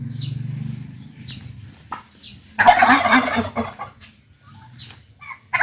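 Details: Village turkeys calling: a low droning murmur opens, then a loud, rapid, rattling gobble bursts out near the middle and lasts about a second, followed by softer scattered notes and brief higher chirps from other birds.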